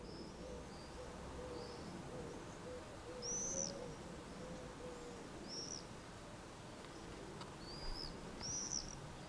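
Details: Swifts screeching around the eaves: thin, high, buzzy screams in short bursts of about half a second, several spaced through the stretch and clustering toward the end, over a steady low rumble of background noise.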